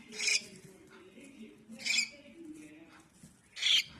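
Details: A baby cockatiel produces three hissing, raspy bursts, the last one louder, separated by gaps of over a second, against a soft low hum.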